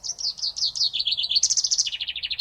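Common Chaffinch singing: a bright, rapid cascade of notes that steps downward in pitch over about two seconds and speeds up toward the end.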